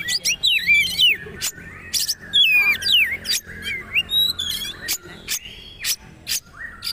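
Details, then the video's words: Kacer, a magpie-robin, in a training song, delivering rapid whistled zigzag phrases separated by sharp clicking bursts, with short rising and falling notes repeating quickly. "Masteran Kacer/Poci trotol agar ikut bunyi terbaru"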